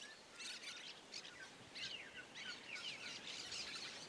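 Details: Cactus parakeet singing free in the wild in the Bahia sertão, Caatinga: steady run of quick high chirps and short twittering notes, some faint and distant, continuing throughout with light background hiss.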